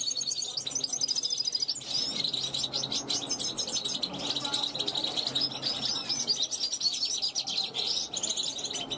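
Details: A 2021 young European goldfinch rehearsing on a balcony, calling to passing wild goldfinches; rapid tinkling chirps and buzzy trills in an unbroken flow, with a faint low hum in the background.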